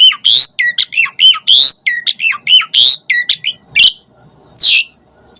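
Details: Asian pied starling in lively varied song, offered as emotional bait for starlings to start singing; rapid harsh squawks and curling whistles pour out for three seconds, a pause, then two drawn-out rasping screeches.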